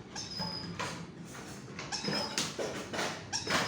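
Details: Hand-fed grey parrot chicks give harsh, raspy begging calls in quick bursts about twice a second, with a few thin whistled notes mixed in.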